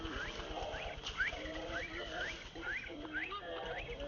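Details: White-breasted waterhen at a roadside giving short upslurred notes, roughly two a second, over lower rolling croaks, with steady background hiss and rumble.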